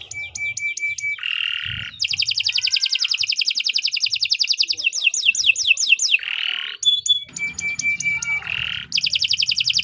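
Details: Canary song meant for training other songbirds, long and varied: short high tones, buzzy rattles, dense fast trills and quick descending sweeps alternating through the phrase.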